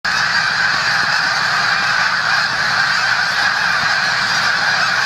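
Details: A large flock of snow geese (Anser caerulescens) in the Musconetcong river valley, New Jersey, near the Delaware River, keeps up a steady dense clamor of overlapping nasal honks and yelps.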